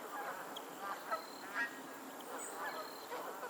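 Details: A lake in Pennsylvania with geese giving a quick cluster of overlapping honks, two sharper ones close together, then softer calls trailing off. A thin high whistle-like tone sounds in the background.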